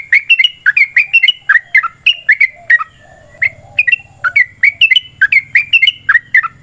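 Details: Long, continuous fighting song of a yellow-vented bulbul, meant to goad other birds into singing back: quick chains of liquid, chattering notes that dip and rise, with one short gap midway and a faint low hum beneath.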